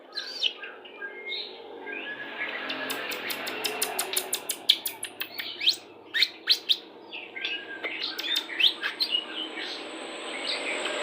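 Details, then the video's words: White-rumped shama 'pastol' song played during pairing to bring birds into breeding condition; a run of fast sharp clicking and chirping notes over a steady background hiss, with a thin high tone near the end. "PANCINGAN MURAI BATU PASTOL CEPAT BIRAHI"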